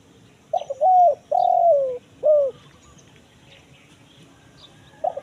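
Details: Spotted dove call, 'kuk 1 mersik' type, meant to attract wild birds in the forest: a hiccuping start, a long mellow coo sliding downward, then a brief emphatic coo, followed by silence and the first note of the next phrase.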